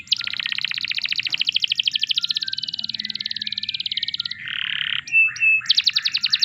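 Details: Canary song used as a training recording to prompt other canaries to sing: a long, fast, even trill of repeated high notes for about four seconds, then a brief buzzy burst, two short whistled notes, and another rapid trill.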